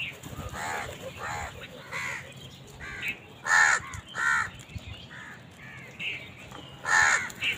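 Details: Crows competing for food: scattered short, harsh caws from several birds at differing distances, some loud and close, others faint, with irregular pauses.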